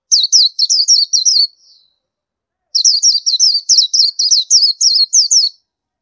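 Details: Indian white-eye in two lively bursts of high, twittering chirps, the first of about six notes and the second a longer run of over a dozen quick, down-slurred notes.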